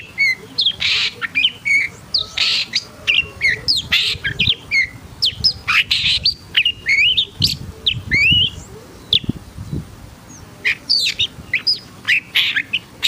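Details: Long-tailed shrike in an emotional, agitated mood pouring out a continuous medley of harsh rasps, chattering notes and quick whistled slurs for over ten seconds.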